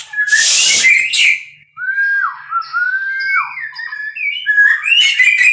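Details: Captive-bred white-rumped shama opening with a harsh hiss, then sweet looping whistles that dip and rise, closing with fast twittering notes.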